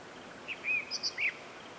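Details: During a sunrise safari drive on 13 November 2016, a Groundscraper Thrush sings a brief, bright phrase of five or six quick high notes, some slurred and some clipped, over a faint hiss; the guide thinks it is a song to attract a female rather than a territorial call.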